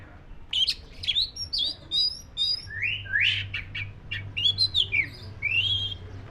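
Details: White-rumped shama, black-breasted form, in varied song: rapid sharp chips and buzzy notes followed by rising whistled slurs and a drawn-out clear whistle, over steady low hum.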